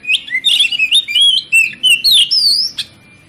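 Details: Oriental magpie-robin (kacer) song played as a lure to stir other magpie-robins into singing their full repertoire: a rapid run of loud, clear whistled notes, sliding up and down, some buzzy and sharp, packed tightly for about three seconds.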